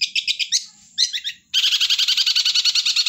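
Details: Long-tailed shrike in lively, vigorous song: rapid bursts of high, scratchy chirps repeated several times a second, a brief pause, a short chattering phrase, then a dense, fast run of sharp chirped notes without break.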